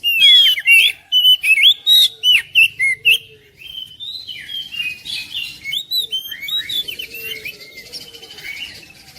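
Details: Oriental magpie-robin song played to prompt reluctant birds to sing, bringing a lively feel to a home: rapid, varied high whistles, sharp chips and trills in quick bursts, then a softer run of rising and falling whistled phrases.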